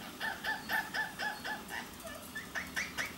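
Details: Two pet Indian ringneck parakeets, a blue male and a pastel violet lacewing female, talking, playing and flirting: soft, fairly quiet harmonic notes repeated about twice a second in an uneven series.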